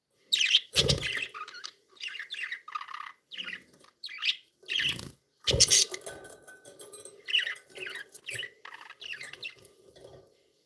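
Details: Pet budgerigars described as happy and playful, chattering in short bursts of bright, scratchy chirps and warbles separated by brief pauses, with a few sharp clicks and rustles mixed in.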